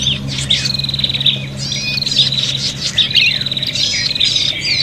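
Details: Agitated, fighting prinia calls for luring birds: long high rattling trills with squeaky chirps and slurred notes overlapping, over a constant low electrical hum.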